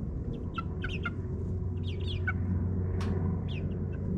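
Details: Ninth-week chicks in a suburban backyard run make rapid, chattering clucks and high chirps in short groups, over a loud, steady hum of a lawn mower.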